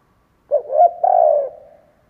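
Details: Decoy spotted dove cooing to entice wild birds: a short note, a rising swell, and a long mellow coo dying away, single phrase in quiet.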